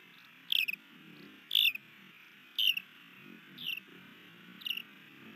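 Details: Wild osprey at a Missoula, Montana nest in Hellgate Canyon, May 2020, during a new male's landing and mating attempt; short piercing high chirps repeated about once a second, five in all, over a constant low rumble.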